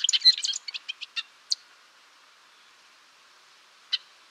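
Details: Golden-rumped euphonia, also called gaturamo-rei or gaturamo de cabeça azul, singing a quick burst of high, bright chirps and twittering notes over about a second and a half, slowing into spaced single notes, then one more sharp note after a pause.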